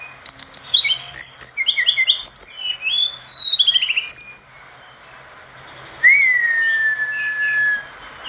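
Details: Vigorous orange-spotted bulbul song meant for tutoring other cage birds: rapid bright chirps and short whistled phrases tumble together, then after a pause a long clear whistle that slides gently downward and fades.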